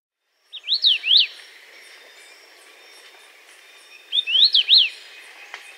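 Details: Dusky-capped greenlet (Pachysylvia hypoxantha) call: two quick phrases of three high, sweeping up-and-down whistled notes about three seconds apart, against a quiet background.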